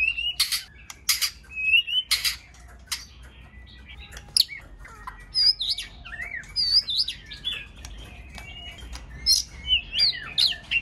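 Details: White-rumped shama on a recording for stimulating shamas to sing: loud harsh bursts and a level whistle open, followed by scattered high sweeping whistles and chips.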